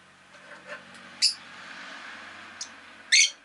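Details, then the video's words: Rosy-faced lovebird giving short, sharp, high chirps, two loud bursts about two seconds apart with a faint one between, over a low hum of city noise. "Lovebird Chirping Sounds"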